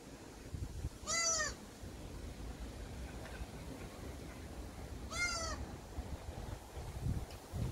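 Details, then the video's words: A young common cuckoo, a brood parasite, begging from its magpie foster parent for food: two loud, shrill, slightly arched screeches about four seconds apart over a low, rumbling background. "cuckoo bird parasite screaming for magpie mama's feeding"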